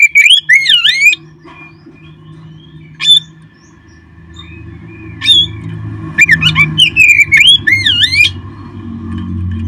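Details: Oriental magpie-robin song for encouraging kept birds to sing: an opening burst of looping whistled slurs, sparse single notes through a quiet stretch, then a lively run of chirps and dipping whistles over low background hum.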